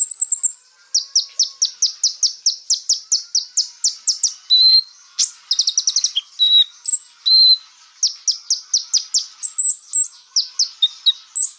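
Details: Konin song used as a lure to make rival birds emotional: a fast run of high, sharp repeated chips, several per second, broken by short pure whistled notes and brief trills.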